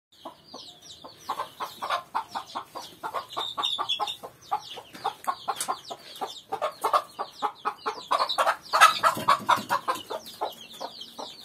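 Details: An angry mother hen attacking a human to protect her chick gives rapid, harsh alarm clucks in uneven bursts, with thin high chick peeps scattered over the top.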